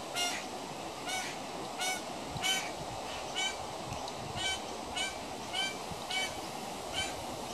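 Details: A baby pied currawong hanging around a home gives harsh, nasal squawks, repeated steadily about every two-thirds of a second, over a low background hiss.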